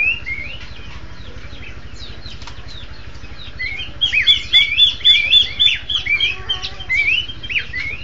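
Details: Horsfield's babbler pair duetting: sparse whistled notes at first, then from about four seconds a dense run of overlapping rising and falling whistles and chips repeated rapidly, over a constant low mechanical hum.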